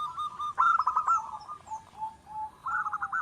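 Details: Local wild zebra dove song used as a lure: a loud rolling coo phrase, softer drawn-out low notes, then a second quick rolling phrase, with faint higher chirps from other birds.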